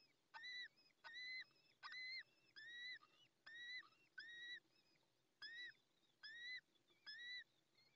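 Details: Newly hatched little owl chick, first of the brood, still wet, at its nest in La Moraña, Ávila, Spain, 20 May 2024, calling while the female is away: short harmonic peeps repeated steadily, about one per second, nine in eight seconds.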